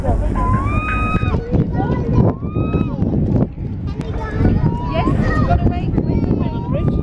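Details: Two male gulls at the Chittenden Locks in Seattle, herring gulls or possibly western gull hybrids, trade drawn-out, wavering mewing calls that rise and dip, answering each other back and forth over a heavy low rumble of wind.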